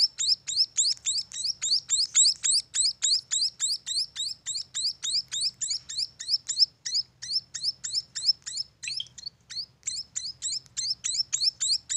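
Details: Munia chicks calling in a steady, rapid series of sharp, high, chirping notes, about three or four each second, continuing without pause for the whole stretch, with a faint low hum underneath.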